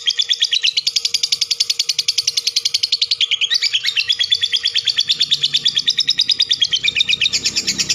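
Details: Lovebird giving a long chattering song, "ngekek panjang": a dense, rapid run of buzzy high chirps pulsing steadily for the full eight seconds, with a brief dip and change of pitch midway and a faint low hum beneath.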